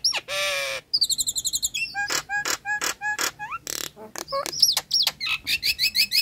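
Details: Nias hill myna singing as a lure for birds that have stopped singing, are stressed or molting: a drawn-out nasal whine, rapid rippling whistles, metallic clicks and bright rising whistled notes in quick succession.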